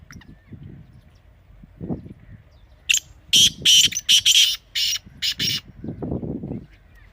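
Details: Partridge (teetar) calling: a rapid series of about eight loud, harsh, rasping bursts packed into two and a half seconds midway through, with low rumbling background noise before and after.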